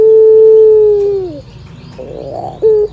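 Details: Barbary dove singing while a cat listens: one long, steady, low coo that slides downward at its end, a softer rolling burr, then a short clipped coo note.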